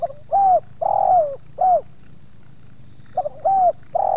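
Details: Spotted dove (tekukur) in a yard at Subang, used as a lure bird as two wild doves approach, the second offering some resistance; mellow hollow coos in phrases of three, a short note, a longer drawn-out falling note and a clipped one, phrase repeated after a pause.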